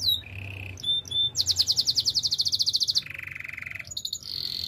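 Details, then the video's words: Canary song used for training: a low rolling trill and thin whistles, then a fast, pulsing high rattle, a lower buzzy roll, and high piping notes at the end. "Active canary singing makes your canary sound"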